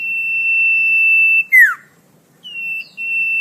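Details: Common iora song for tutoring caged songbirds: a sustained flat high whistle breaking into a quick falling slur, then a short pause and another level whistle.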